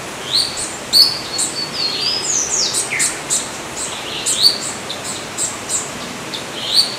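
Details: Yellow-olive flycatcher (Tolmomyias sulphurescens) calling with a steady series of high, thin, upslurred whistles and short sharp notes throughout, fairly evenly spaced, over faint natural background hiss.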